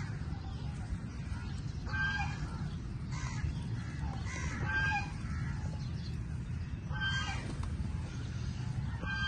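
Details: Several crows fight over food, producing scattered hoarse caws, some overlapping, across the recording amid a persistent low rumble.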